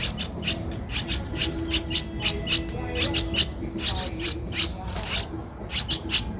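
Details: Young streak-eared bulbul, 12 days old, Ubon Ratchathani, Thailand, 14 April 2023, uttering quick strings of high thin chirps in short bursts with brief pauses, low rumble beneath.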